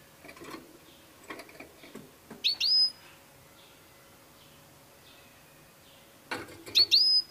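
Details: European goldfinch song: a few soft clicks and ticks, then pairs of bright, buzzy upswept notes in two short bursts separated by a long quiet gap.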